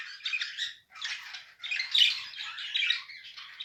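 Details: A mated pair of budgerigars chattering in bursts of scratchy, buzzy warbling with short squawks, sound dropping out briefly twice before resuming.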